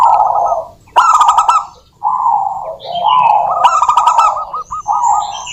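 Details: Persistent song of local zebra doves, used to prompt other doves into singing; warbling cooed phrases overlap, broken by crisp buzzy bursts and brief pauses.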